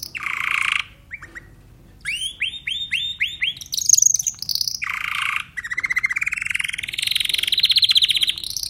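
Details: Timbrado canary song mixing harsh buzzy bursts, a run of five rising whistled swoops, brief pauses, and a long rapid trill that slowly climbs in pitch to the end.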